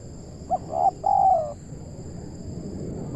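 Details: Indonesian local spotted dove, or tekukur, recorded at a trapping session. One soft coo phrase with two short notes and a longer falling note, partly masked by rumbling low noise and a faint steady high hum.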